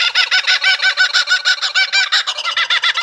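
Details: Laughing kookaburra (Dacelo novaeguineae) gives a loud, rollicking cackle of rapid, harsh notes, about three a second, rising and falling like hearty laughter; this laughing call serves as a territorial marker and alert signal for the group.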